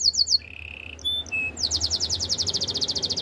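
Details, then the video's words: Spanish Timbrado canary singing quick high notes, a held low tone and bell-like pips, then a rapid, even trill of repeated notes over a low background hum. "Spanish timbrado canary singing"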